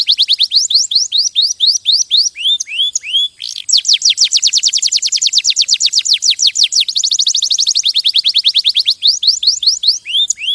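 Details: Canary singing bright phrases of falling whistles, then a long, fast, very regular trill of high chirps lasting several seconds before slower swept notes return.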